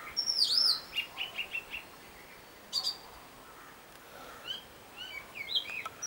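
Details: A robin, a great mimic, sings a different tune: a loud swooping whistle followed by a run of short repeated chirps, a quiet pause, then softer warbled notes near the end.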